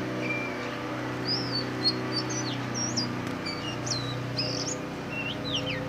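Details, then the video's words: Black magpie-robin song: scattered high whistles, wavering trills and falling slurs spread across the phrase, fairly soft against a persistent low mechanical hum. "Than đen hót, black magpie singing, kacer hitam"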